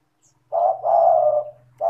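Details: Spotted dove (tekukur) calling, meant as a lure to prompt lazy doves to call: a low two-part coo, a short note running into a long smooth hum, then another coo beginning, over a faint low hum.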